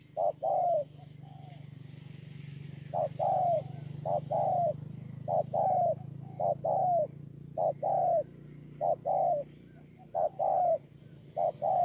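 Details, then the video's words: Spotted dove at Bờ Y, Kon Tum, Vietnam, on 28 November 2017, giving many short falling coos in quick uneven succession, a clipped note often leading each, over a noticeable droning low background hum. "CU GÁY"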